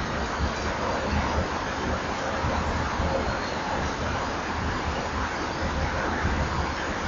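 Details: Steady broadband hiss and low rumble throughout, with no animal voice.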